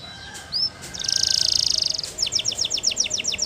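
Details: Russian canary singing a flute-style training song: a short upward note, then a rapid high buzzy trill for about a second, followed by a run of quick downward-sliding whistles.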